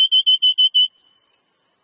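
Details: Oriental magpie-robin (kacer) song played to encourage a kept bird to sing: six short even whistles near one pitch in quick succession, then a single higher drawn-out whistle.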